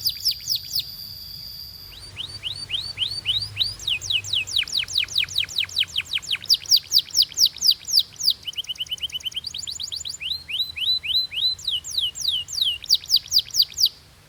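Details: Canary song offered for training other canaries: a brief steady whistle, then fast runs of sharp downslurred notes that switch every few seconds between tours of differing pitch and speed, bright and loud throughout.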